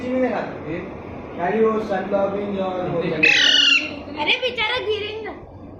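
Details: Intermittent squeaking from a parrot chick arriving at its new home in Panvel, March 2019: a strong harsh squeak followed by a shorter, fainter one, with people's voices throughout.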